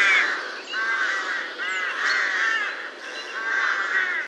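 Rooks giving harsh, drawn-out caws, roughly one call every second, with several birds overlapping in a hoarse chorus.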